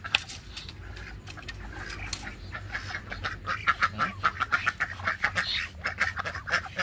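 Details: Ducks at a small backyard Muscovy duck and duck farm in Karawang, kept in a wire pen, quack in a rapid, irregular run of harsh, nasal calls that rises to a busy chorus after a few seconds; a person speaks in the background.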